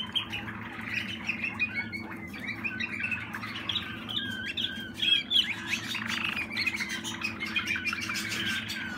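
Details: Young Waterslager canary from 2020 singing: a busy stream of quick chirps, trills and short warbled notes at a high pitch, continuous throughout, with a steady low electrical hum underneath.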